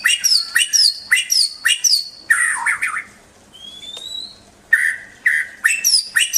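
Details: White-rumped shama singing in quick bursts of high, chattering notes, then a pause broken by a long, thin, rising whistle, before the loud, clipped phrases return.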